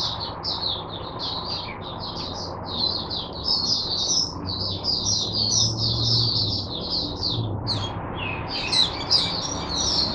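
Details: Caged oriental white-eye singing as a teacher for other white-eyes, 22 January 2022; dense high twittering warble runs almost without pause over steady low background hum.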